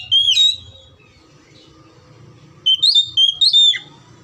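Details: Lure recording of oriental magpie-robin song meant to prompt quiet, lazy birds to sing: one bright whistled phrase, a one-second gap, then a quick series of three or four rising, ringing whistles, with steady low background hum.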